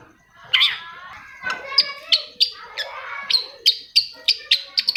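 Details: Long-tailed shrike lure song, used to get silent shrikes singing: sharp high chips and short descending notes, uneven at first, then quickening into a run of bright clipped notes near the end.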